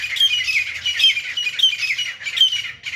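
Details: Fighting grey francolin gives a continuous run of loud, rasping, scratchy calls. The notes repeat rapidly with thin whistled edges and stay dense and unbroken throughout.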